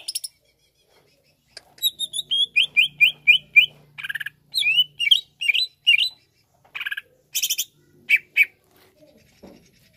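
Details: Greater green leafbird in song to excite another leafbird: quick repeated downslurred whistles, then twisting whistled notes and harsh buzzy bursts, spaced by short gaps.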